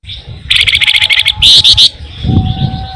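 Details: Flamboyan singing actively, used as a lure for songbirds: a loud, rapid series of buzzy trilled notes, then a brighter, higher burst of fast repeated notes, over low rumbling background noise.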